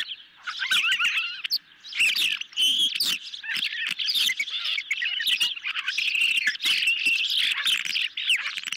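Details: Hungry ospreys take a medium-sized fish at a nest-camera site on the evening of 10 July 2021. Loud, excited, overlapping whistled chirps go on almost without pause, broken by frequent knocks and rustling sounds.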